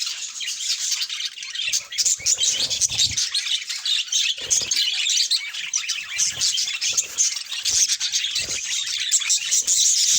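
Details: A group of pet budgerigars chatters without a break. Rapid, overlapping squawks, chirps and warbled notes continue for ten seconds.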